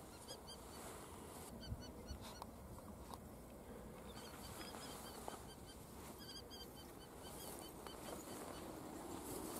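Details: Two female Common Kestrels fighting in the wild at the Noordduinen near Den Helder, Netherlands; short bursts of quick, high, repeated notes come in several clusters, partly buried in loud wind-like rushing noise.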